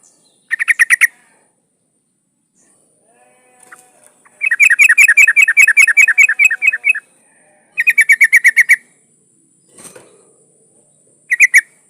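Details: Female yellow-vented bulbul, locally trucuk, in breeding condition calling for a male: several bursts of fast chattering notes, one long run of about twenty notes, with short gaps and faint background noise.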